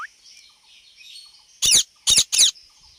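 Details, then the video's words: Rose-ringed parakeet giving three loud, rasping shrieks close together after a quiet stretch with faint background chirping. "Indian Parrot Talking and Making Sounds"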